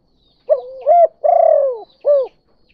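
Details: Spotted dove, tekukur derkuku, calling in the kuk 2 pattern as a lure for other doves: a rising first coo, a long falling rolled note and a single short hooked coo, clear and close.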